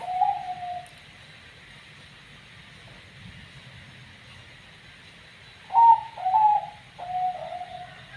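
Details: Zebra dove, a perkutut of banyu mili katuranggan with an unusual call: one low coo opens, a long quiet gap follows, then three short descending coos come in quick succession.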